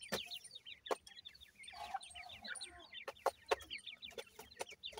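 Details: Young francolin chicks in captive care: many high, thin, downward-slurred peeps overlapping in a busy chorus, broken by sharp loud clicks and taps from movement nearby.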